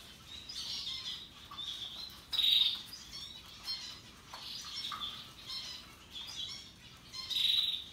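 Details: Russian yellow and Timbrado canaries happily singing: steady high twittering warble throughout, punctuated by two loud, piercing buzzy trills a few seconds apart.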